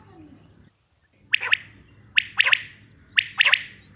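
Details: Common quail, a male, giving short bursts of high, clipped notes, one single note followed by quick double-note phrases about a second apart, after a brief silent gap, with a faint low hum beneath.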